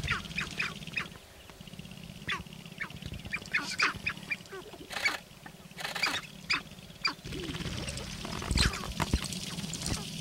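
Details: Sharp-tailed grouse displaying on a lek in northern Wisconsin on April 29, 2021: many overlapping clucks, cackles and yelping notes from several birds, with a low drumming rumble underneath.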